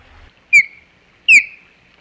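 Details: Osprey at its nest on Hog Island, 27 July 2020, alarm calling at an intruder: two loud, piercing whistles slurring downward, each trailing into a thin, level tone, about three-quarters of a second apart.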